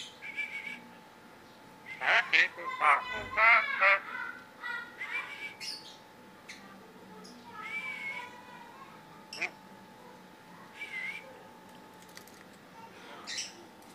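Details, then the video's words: Tame talking Javan myna with yellow eyes producing a varied run of squeaky whistles, harsh chattering bursts and warbled notes, loudest between two and four seconds, followed by scattered softer calls and sharp clicks. "jalak kebo mata kuning-jinak-bisa ngomong"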